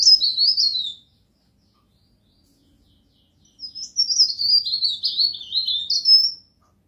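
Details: Pied bush chat, known locally as pare pare, singing as a tutor song: a short, high, scratchy warbled phrase, a pause of over two seconds, then a longer run of rapid twittering, descending notes that ends in a thin whistle.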